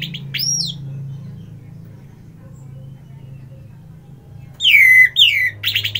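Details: Orange-headed thrush gives a short, high, sweeping whistle. Quiet low hum follows for several seconds, then a loud cluster of slurred, descending whistles and chattering notes.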